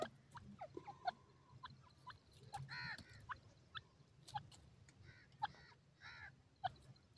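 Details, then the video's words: Teetar chicks, young partridges, give brief harmonic chirps and clucks in irregular bursts, some in short doubled runs, with a steady low droning hum and light clicking behind. "partridge bird ki voice, pheasant bird sound, teetar chicks"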